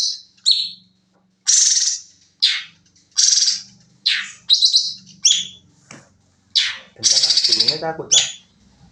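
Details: Sooty-headed bulbul song used as a training recording for caged birds: loud, clear whistled and chattering phrases in separate bursts about every second, some rapid trilled notes near the end, quiet background.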